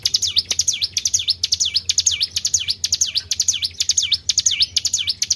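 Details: Tribel bird lure sound meant to attract other birds: sharp, high chirps swooping down and up, delivered in tight doublets at a brisk regular pace, with a soft low hum behind.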